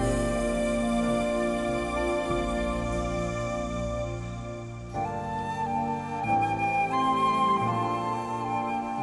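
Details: Gentle new-age flute music with held bass notes and a rising melodic phrase near the end, and no animal calls.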